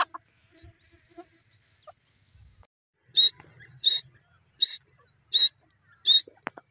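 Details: After near silence with faint background noises, a grey francolin (dakhni teetar) gives five loud, high, sharp notes, each well separated, about one every three-quarters of a second.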